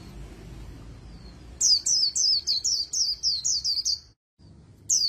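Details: High, fast-repeated slurred whistles from an Oriental white-eye singing líu in a magpie-robin-like voice, roughly nine phrases in a row, a brief silence, then another phrase begins.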